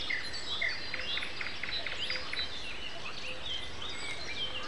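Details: Common nightingale singing at 7:55 in the morning on Sunday, April 29, with other birds. Rapid series of repeated short notes near the middle of the range, then varied chirps and whistles over a steady background hiss.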